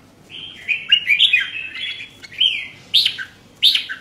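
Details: Red-whiskered bulbul kept as a caged songbird, singing a run of clear, liquid whistled phrases that rise and fall. The phrases are joined at first, then come as separate bright, sweeping notes with short pauses between them.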